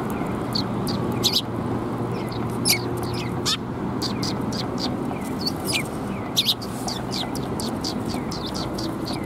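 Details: Sparrows arriving to be fed at a Tenmangu shrine in Japan on 18 March 2021 make many quick, thin, high chirps, scattered and overlapping, against constant low ambient rumble.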